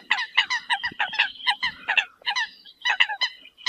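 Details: Eurasian coot calling the flock: a busy, overlapping chatter of harsh, nasal honking notes from several birds, delivered rapidly without pause.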